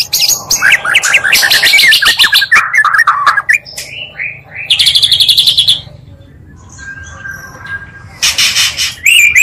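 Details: Oriental magpie-robin song used as a lure to provoke rival magpie-robins, blending two singers: rapid varied phrases of rising whistled notes and sweeps, bursts of dense trills near the middle and end, brief pause between.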